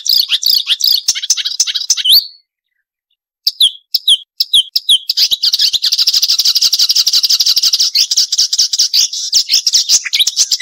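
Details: Marsh warbler giving varied sharp song with crecetan chatter, cleanly recorded as a master track for songbirds: dense high twittering, a falling whistled slur, a brief silence, scattered sharp chips, then a long rapid, buzzy chattering stream.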